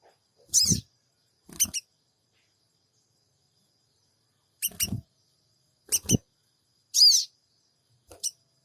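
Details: Cingik cingik calls of a sooty-headed bulbul, a lure recording from Purbalingga made on an Android phone: six short, shrill, rasping bursts in uneven clusters, several mixed with low knocking sounds.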